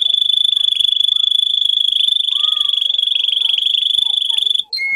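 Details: Canary song for teaching young birds to sing: a sustained, steady, high rolling trill that runs almost five seconds, breaks off, then gives way to a short lower note.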